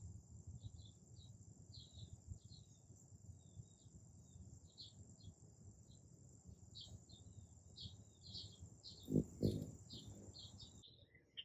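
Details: Hummingbird at a feeder on a morning, phone on a tripod close by: long run of quick, high, ticking chips, many per second, over constant hiss, then a brief loud low rustle near the end.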